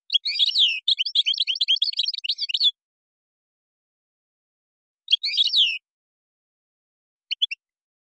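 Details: European goldfinch performing Moroccan song with gazarat and srrr bertbertio elements: a dense, jumbled twitter of liquid and scratchy notes for over two seconds, then a shorter twittering burst and a few final chirps after long pauses.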